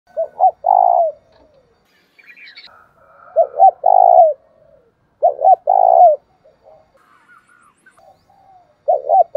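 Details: Spotted dove giving a thúc bổi call meant to stimulate another dove: three low cooing phrases, each two short clipped notes then a longer quavering coo, repeated about every three seconds, with faint higher chirps between.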